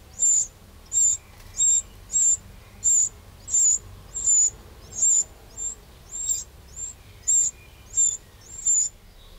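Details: A Eurasian wren in a garden in the Châtillonnais, Burgundy, France, 2 June 2023, gives a steady run of sharp, very high ticking calls, roughly three every two seconds, with a faint low hum underneath.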